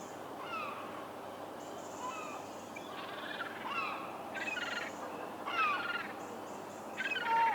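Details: Herring gull recorded in the wild, giving a loose series of harsh, nasal calls with downward-sliding notes, several bursts growing louder toward the end over steady background hiss.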